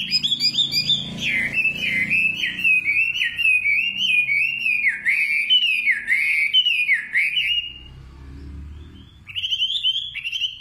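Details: Wavering, fluted whistles from a singing nightingale roll on for several seconds in undulating phrases, pause in quiet, then resume with a short whistled snatch.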